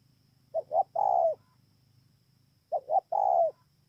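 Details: Spotted dove song from Bờ Y, Kon Tum, Vietnam, dated 28 November 2017. The bird repeats its phrase twice, about two seconds apart: a pair of brief coos, then a sustained, rounded, gently falling coo. A faint low hum runs underneath.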